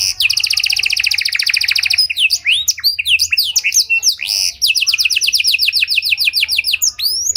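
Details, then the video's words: Rich cengkok mewah song from a Panda canary, used to lure and train other canaries: a sustained pulsing trill, a burst of varied twisting whistles, then a second long even trill of repeated rising notes. "Pancingan Suara Burung Kenari Panda Cengkok Mewah! Ampuh Buat Memancing Maupun Melatih Kenari Lain"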